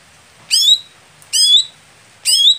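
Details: Greater green leafbird, a competition bird that is sluggish to heat up. It gives three loud, high chirps, roughly one per second, each sliding into a short sustained whistled tail.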